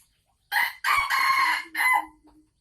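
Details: Sumatran red junglefowl kept in a cage, recorded 24 December 2020 around egg-laying time, when the hen cackles. Three loud, harsh, strained bursts run together: a short first note, a long rasping middle and a clipped ending.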